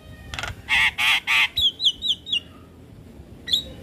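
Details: Javan myna song used to train young mynas to sing: harsh buzzy bursts followed by a run of sharp descending whistles, then a lone high whistle.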